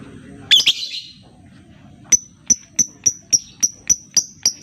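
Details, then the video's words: Lure meant to start quiet lovebirds singing: a harsh, squeaky double chirp, a pause, then a rapid even string of bright, high ticking notes. "Pancingan Lobebird cepat/jitu burung Lovebird diam biasa gacor denggar suara ini"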